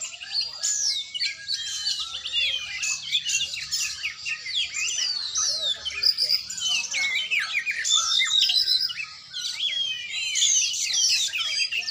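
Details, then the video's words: Oriental magpie-robin being trained, singing a long unbroken run of high, rapid twittering whistles and upswept chirps, very dense and lively throughout. "latihan burung kacer"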